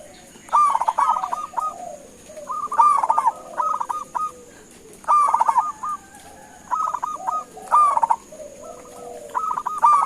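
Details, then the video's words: Local zebra dove calling out to make other doves respond: repeated staccato cooing phrases, each a short rattle of notes then separate coos, several birds seemingly overlapping, steady faint high tone throughout. "Suara Panggilan Perkutut LOKAL Gacor sekali dengar langsung NYAUTIN"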